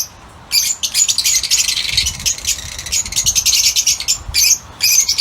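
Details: Lutino Fischer's lovebirds, yellow birds kept in an outdoor aviary, give bursts of shrill, high chattering chirps after a short quiet start, overlapping and running in dense clusters with brief pauses.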